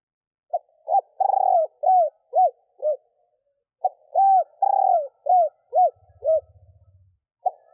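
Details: Female spotted dove cooing to stimulate males: two full phrases of clipped hoots, a vibrating drawn-out coo and falling notes, with a brief low hum near the end.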